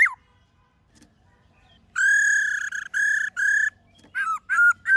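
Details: After a second of near silence, a black-throated laughingthrush sings a rich forest-style song: three long, level, harmonic-laden whistles, followed by quick hooked notes that drop in pitch.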